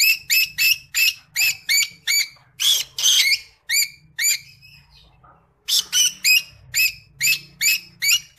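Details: Creamino Rosy-faced Lovebird song of rapid, repeated raspy chirps, three to four per second, with a short pause midway before the chattering resumes.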